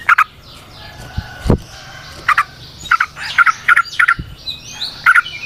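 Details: Yellow-vented bulbul (trucukan) in the wild, recorded as natural sound for use as a lure. Short bursts of doubled, bright chirps are spaced irregularly. Low thuds and a steady low hum sit underneath.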